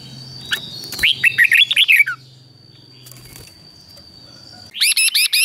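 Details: Caged red-whiskered bulbul sings a rapid descending string of bright whistles, falls quiet over a steady background tone, then starts a loud, even run of notes. The doubled song is used as a tutor for other birds.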